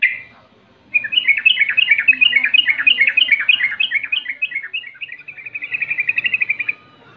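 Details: Sooty-headed bulbul in 'rol' style, sung to goad rival birds into calling back: a long, continuous run of quick warbled notes that ends in a faster, evenly spaced trill lasting almost six seconds.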